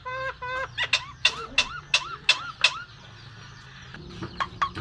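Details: Myna imitating laughter, coughing and human speech. A few drawn-out tones give way to about six sharp, evenly spaced bursts like a chuckle, each ending in a curling note, then a pause and scattered clicks.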